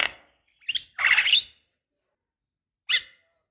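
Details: Black-winged starling, recorded as a lure for young birds slow to call: a few brief, hoarse, noisy squawks, one longer rasp in the middle, with silent gaps between them.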